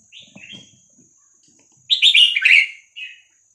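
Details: Red-whiskered bulbul of the Vietnamese type, 3-4-5-6-7 song used to teach young birds and make them lively: a few quiet notes and soft clicks, then a loud cascade of bubbling whistled notes and a brief trailing phrase.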